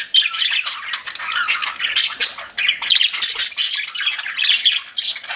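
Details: Pet budgerigars chirping in a dense, continuous chatter of buzzy, warbling notes and squawks, mostly high-pitched, with no gaps between calls.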